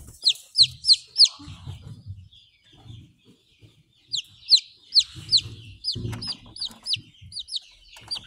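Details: Buff Orpington chick, about eleven days old (hatched April 17, 2023, recorded April 28, 2023), uttering quick bursts of high descending peeps separated by quiet gaps, over low rumbling handling and movement sounds.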